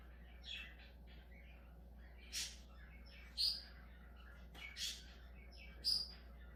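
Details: Budgerigar giving short chirps and scratchy warbles, separated by brief pauses, with a few sharper high squeaks and a steady low hum.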